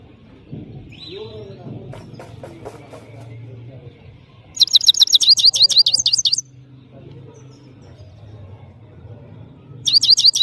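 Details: European goldfinch, called saira, from Parachinar, singing powerfully: a quiet stretch with low murmuring background, then a loud burst of rapid, high, twittering notes for about two seconds, and another short burst at the end.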